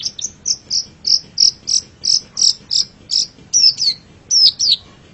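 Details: Long-tailed shrike master song for training pet birds: a run of short, high, clipped chirps repeated about four times a second, ending in a few sharper downslurred whistles.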